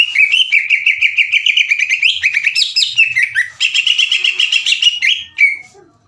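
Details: Caged green leafbird, song used to provoke rival birds into singing; long fast trills of repeated buzzy notes at steady pitch, broken by a short slurred phrase, closing with a falling whistle.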